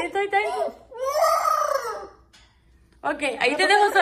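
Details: Pet parrot throwing a tantrum at bedtime, indoors: harsh, harmonic wailing cries, one long arched wail, then a pause and a burst of rough, wavering calls, with a person speaking nearby.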